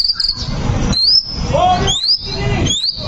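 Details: White-rumped shama song used as a lure to provoke a fighting shama into a rage: clear high whistles, some held flat and others sliding upward, broken by short pauses, over a low rumbling background.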